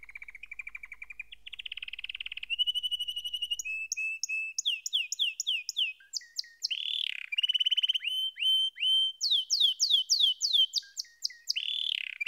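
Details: Long varied canary song that starts with soft low rolling trills, climbs into steady buzzing tours, then breaks into many sharp downward-sweeping whistles and quick chip series.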